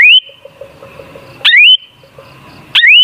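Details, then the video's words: Song of the sooty-headed bulbul, known locally as kutilang, played to make other bulbuls sing: three loud whistled phrases rising sharply and then levelling off, about one and a quarter seconds apart, with faint soft ticking between them. "Suara Burung Kutilang Sangat Ampuh Untuk Pancingan Jadikan Kutilang Ngamuk Gacor"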